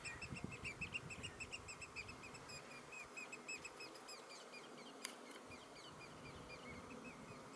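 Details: Three Eurasian oystercatchers (Haematopus ostralegus) give rapid runs of shrill, piping notes, several per second, over a low rumble of wind, recorded 16 June 2016.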